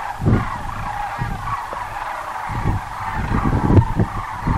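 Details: Many sandhill cranes at Muleshoe Wildlife Refuge in Texas keep up a loud, blended chorus of rattling bugle calls, with recurring low wind buffeting beneath.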